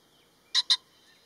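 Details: Male common pheasant giving one abrupt two-note crow, both notes loud, harsh and about a sixth of a second apart, against a quiet background with a faint high hum.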